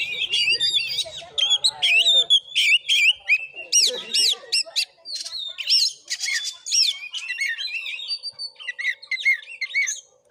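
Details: Oriental magpie-robin singing aggressively in a fighting bout, Padang Gading, Bengkulu province: a continuous tumble of bright whistled phrases, upward slurs and crackling buzzy notes, the pace dense for ten seconds with brief gaps near the end.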